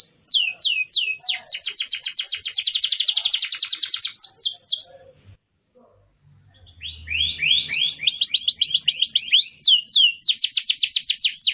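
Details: Canary song recorded as a master for teaching other birds: repeated rising whistles leading into a long fast rattling trill, a pause of near silence, then renewed whistled sweeps and trills.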